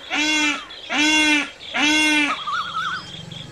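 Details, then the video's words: Peacock giving three long, loud, low-pitched wailing screams with strong overtones, followed by a wavering trill from another bird. "Peacock screaming"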